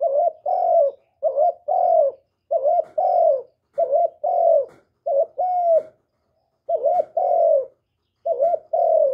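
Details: Caged spotted dove from Vietnam calling steadily, meant to prompt keepers' birds to coo sooner: about eight pairs of mellow coos in a near-continuous run, each pair a short quavering note followed by a longer, slowly falling one, in a quiet setting.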